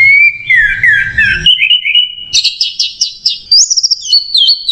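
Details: Orange-headed thrush (Geokichla citrina) song, used as a tutor recording: a rich, unbroken run of clear whistles, slurred sweeps and quick trills, shifting pitch every second or so, over a brief low rumble at the start.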